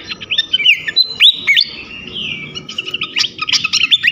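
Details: Flycatcher song used as a lure to set off other flycatchers: loud high whistled notes with sharp upward and downward sweeps, a long gliding whistle midway, then a fast run of clipped chattering notes.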